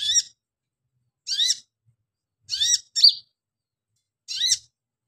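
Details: A female Pygmy cupwing calls for a male, giving rasping, buzzy chirp notes spaced one to one and a half seconds apart. One sharper, clearer whistled note sits midway through the sequence.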